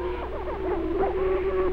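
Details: Male greater prairie-chicken on spring booming ground, Benton County, Missouri, 1948, giving wolf call as a hen arrives: quick wavering mid-pitched yelping notes rising and falling over steady hum and low rumble.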